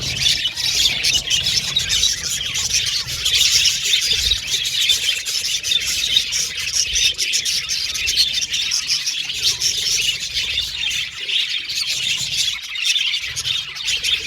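Budgerigars chatter and warble nonstop in high, scratchy, twittering phrases.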